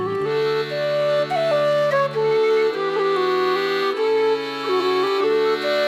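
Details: Folk instrumental music with flute-like melody over sustained accordion-style chords, and no animal calls.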